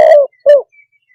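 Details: Spotted dove: the tail of a long rough coo, then one short, bowed, falling coo, loud and close.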